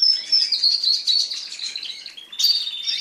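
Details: Several mating crested canaries kept as pets, one long rapid trill of high, buzzy pulses running steadily, then a brighter chirped phrase near the end.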